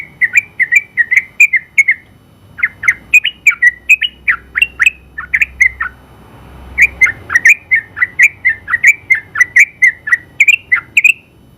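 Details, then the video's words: Trucukan, a champion caged Sooty-headed bulbul singing long ropel phrases as tutor audio, delivers rapid bubbly whistled notes, pauses briefly, then resumes a long, fast, unbroken chattering run. "KICAU Suara Burung Trucukan Gacor ropel panjang ampuh buat masteran trucuk"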